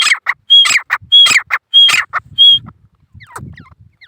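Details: Male grey francolin calling, a rapid series of harsh, scratchy bursts, each paired with a short clear whistled note, repeated about every 0.6 seconds for two and a half seconds, then quieter rustling and faint chirps.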